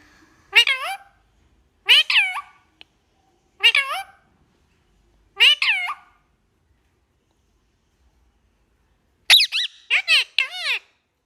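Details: Talkative pet parrot chatting with its owner inside a small room: four separate bent, whining meow-like calls about every one and a half seconds, then a quick burst of four chattering notes near the end.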